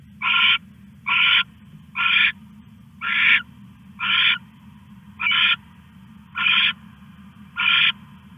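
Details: Owl at night on August 21, 2015, 1:41 AM, stashing a rat: eight evenly paced, loud, raspy screeching hisses, about one per second, each lasting roughly a third of a second, over a steady hum.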